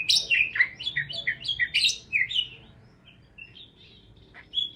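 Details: Parakeet chirping aimed at lonely pet parakeets; a rapid burst of lively chirps and warbles for two seconds, then quieter scattered notes and a final chirp.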